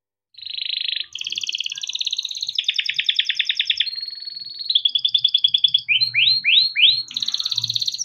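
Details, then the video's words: Timbrado canary singing melodic training phrases: dense rolling trills changing pitch every second or so, a thin steady tone, then a string of rising swept notes; faint low hum underneath. "Timbrado canary singing beautiful melodic songs for training and listening"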